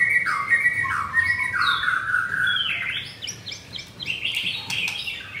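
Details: Caged double-ringed blorok white-rumped shama, Kemayoran, Jakarta, morning of 19 May; drawn-out whistled phrases dropping in pitch, then a faster run of higher, buzzy chips toward the end.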